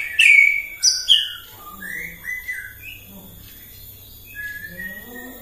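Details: Morning lure song of a white-rumped shama, meant to agitate other shamas: loud opening whistled phrases with sharp high notes, then softer varied warbles and low chuckling notes trailing off.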